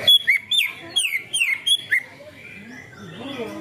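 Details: A greater green leafbird sings bright, looping whistled phrases in a quick burst, about two or three a second, copying canary song as training material for other leafbirds, then falls quiet under a faint background murmur.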